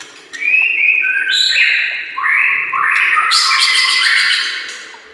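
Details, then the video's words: White-rumped shama master song for training other shamas: a sequence of flat, clear whistled notes at shifting pitches, building into a dense high twittering burst. "Masteran murai AMPUH yang di pakai semua burung juara PASTI CEPAT GACOR DAN NGEPLONG"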